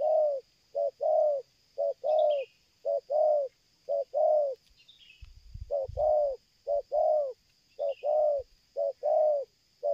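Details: Spotted dove, a powerful nonstop cooer in the stuttering 'selang gagap' style, used in luring: repeated short-long coo pairs about once a second, broken by a short rustling or knocking gap, with small chirps from other birds.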